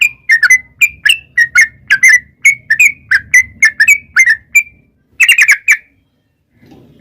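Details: Yellow-vented bulbul in long, rapid 'ropel' song, used as a lure so wild birds answer: a quick series of bubbly, slightly buzzy notes around two to three per second, a brief pause, then a denser burst of chattering notes, near-silent background.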